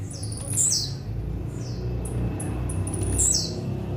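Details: Blue-black grassquit giving its metralha song: sharp, high, descending buzzy notes at the start and near the end, with short chirps between, over a steady low-pitched droning background.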